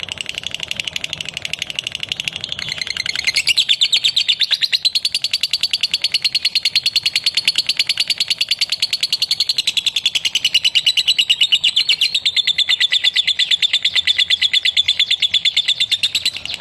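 A lovebird chatters in a rapid, unbroken stream of high, scratchy twittering notes.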